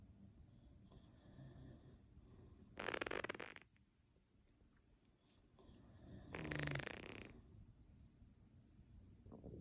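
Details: Pet Quaker parrot snoring: two soft, breathy, hissing bursts, each under a second long and about three and a half seconds apart, over a quiet low background hum.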